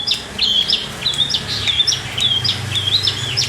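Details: Long-tailed shrike, Priangan type from West Java, in lively full song: quick high whistled phrases with bending, looping notes repeated rapidly, nearly two per second, bright and clear above a faint low hum.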